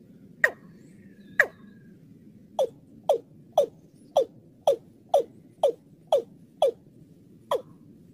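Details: Watercock (Gallicrex cinerea) lure call used by bird trappers: a series of hollow, abrupt notes that drop sharply in pitch, about two per second, over a low steady hum.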